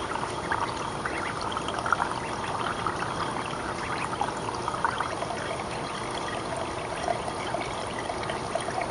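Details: Continuous running water trickles and gurgles throughout, with no animal voices heard.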